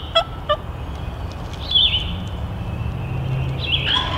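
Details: Male wild turkey coming in to a hunter's calls, gobbling the whole way; two quick rattling pulses early on, then high thin notes from other birds over a steady low rumble.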